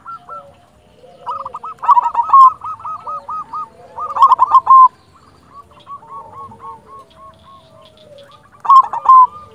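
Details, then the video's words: Zebra dove, silver local perkutut kept as a song tutor and lure, delivering rhythmic series of short staccato coos that swell into louder rolling phrases about every two to four seconds. "Perkutut silver gacor Jagonya Mengundang Bunyi Bikin Yang Macet Langsung Nyaut"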